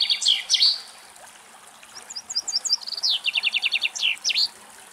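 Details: A common chaffinch (Fringilla coelebs) in Greek nature sings a bright, high, descending series of quick notes that speeds up and ends in a short flourish, with a faint hiss in the background.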